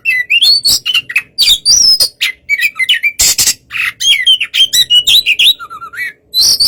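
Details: White-rumped shama singing to provoke a response from another bird: a loud, fast run of varied whistled, chirping and harsh buzzy notes, sliding up and down with brief gaps.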